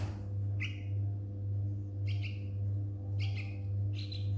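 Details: Young yellow-vented bulbul, found grounded after an overnight thunderstorm and taken indoors: clear, high, drawn-out chirps, some dropping in pitch, roughly one per second, over a constant low hum.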